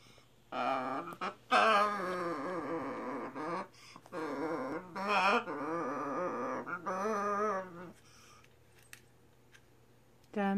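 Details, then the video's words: A scarlet macaw imitates human speech and sings "Sinbad the Sailor man": wavering, voice-like phrases in several bursts over about eight seconds, then a quiet pause before a brief final sound. "Vocals from a scarlet Macaw"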